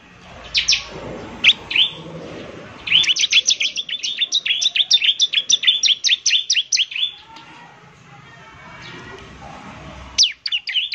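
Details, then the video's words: Semi-active bar-winged prinia singing as a lure: a few separate high chirps, then a rapid four-second burst of sharp repeated notes, silence, and a short final flurry of chirps, with soft low background rumble. "pancingan suara ciblek semi gacor"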